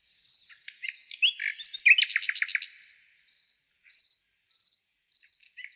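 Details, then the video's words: A nightingale sings at night in a forest, a rich burst of varied notes and fast trills over high, steady cricket chirping repeating about every half second. "How beautifully the nightingale sings"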